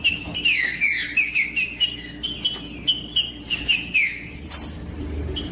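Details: Female green-winged saltator calling to stir males into song, with a male also singing: rapid series of short bright whistled notes with sharp tops, roughly two or three per second, fairly even and unbroken throughout, light steady hiss underneath.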